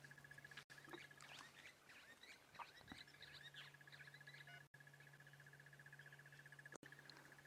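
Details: A Crested Barbet in the morning bush gives a long, even, rapid trill that runs unbroken, like a muffled alarm clock, heard in the background while dwarf mongooses are watched; other birds chirp faintly over a low engine hum.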